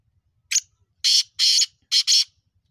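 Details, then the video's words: Black francolin (kala teetar, mountain black partridge) calling: a harsh, grating phrase of five rasping notes, one short note, then two longer drawn notes, then a quick closing pair, over quiet background. "Black Francolin kale Teetar ki Awaaz پہاڑی کالے تیتر کی آواز"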